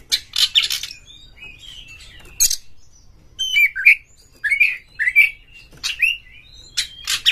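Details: White-rumped shama singing to rouse other shamas: harsh scratchy bursts alternate with short whistled, warbling phrases, repeated roughly every half second to a second over several seconds.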